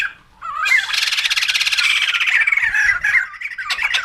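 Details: White-crested laughingthrush giving a loud, harsh, rapidly pulsed cackling chatter that runs for about three seconds, then falls to a brief gap and ends in a few short squawky notes.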